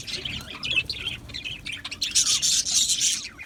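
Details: Australian budgerigars in an aviary colony: dense, overlapping high chirps and short twittering notes from many birds, with a louder, busier burst of bright chatter in the second half.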